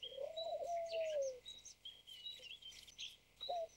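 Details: A captive-bred White Turtle Dove, a white form bred from wild doves, gives a long, low, husky coo that swells and fades over about a second, then starts another, with thin high chirps from small birds behind.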